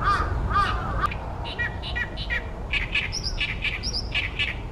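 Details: Loud song of an Oriental great reed warbler near its reed-pond nesting site in Ashiya, Japan, 28 May 2020, sunny: after three clear looping notes, a fast string of rasping, croaky syllables repeated more than twice a second.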